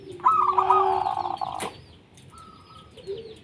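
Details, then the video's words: Singing local zebra dove used to coax idle doves to call: a single rich, rolling trill of quick cooing notes lasting about a second, then a sharp click, and a faint thin whistle and low note follow. "Perkutut Lokal Gacor 100% JITU Ajak Perkutut Malas Bunyi Dijamin NYAUT LANGSUNG RAMAI"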